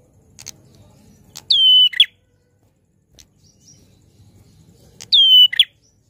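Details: Loud prinia song: a bright whistled note dropping to a held tone, then a short harsh ending, repeated twice about three and a half seconds apart, with faint clicks and low background hum.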